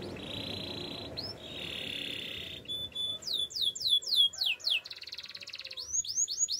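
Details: Gloster canary song for training other canaries to sing: a long steady high whistle, then a run of quick descending sweeps and a fast trill, over a low background hiss.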